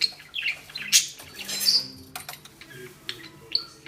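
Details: Female pet budgerigar, cross at a string-tied ball she fails to rip off, gives thin high whistled chirps and brief warbles between sharp clicks and thuds of the toy.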